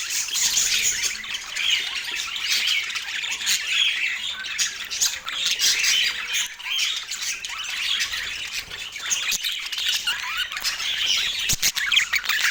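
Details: Parakeets kept as pets chatter during their autumn morning meal: a long, unbroken blend of harsh squawks and bright twitters, with a few sharp clicks near the end.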